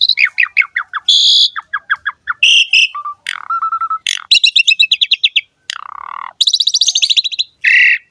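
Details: A Javan pied starling in full ngerek song, recorded as a tutor for other starlings: a series of descending chirps, then steady whistled notes, rattling rolls and buzzy trills, each phrase separated by short silences.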